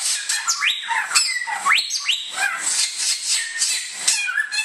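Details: Bare-throated whistler, a native Indonesian bird, singing sharp upward-sweeping whistled notes, several in quick succession, set against dense, harsh, scratchy chatter that fills the whole recording.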